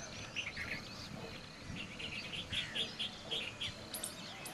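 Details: Shikra in India giving a series of short, sharp, high notes with harmonics, about eight over four seconds at slightly uneven spacing, over a steady faint background hiss.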